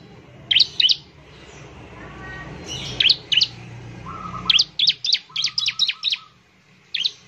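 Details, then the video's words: Bar-winged prinia in full song, used to stir other prinias into singing quickly: sharp high chirps in scattered pairs, then a fast run of about eight notes, with a soft low whistle series in the background. "ciblek semi gacor, memancing ciblek semi cepat bunyi"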